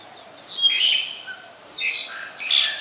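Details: Black-collared starling in Ubon Ratchathani, Thailand, 25 December 2019, giving three loud harsh, raspy squawks mixed with thin whistles, spaced about a second apart.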